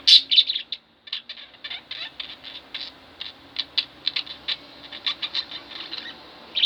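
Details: Pet budgerigars, a pair kept indoors, give a steady stream of quick high clicks and soft chatter, with a few louder chirps at the start and end.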